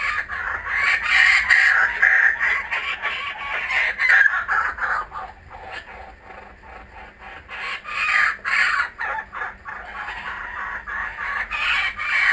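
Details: Returning kookaburras recorded with GoPro Hero 3D and Fujifilm W3 cameras; a sustained, raucous chorus of overlapping cackles and chuckles swells and fades repeatedly over twelve seconds, with rapid rhythmic hoots throughout.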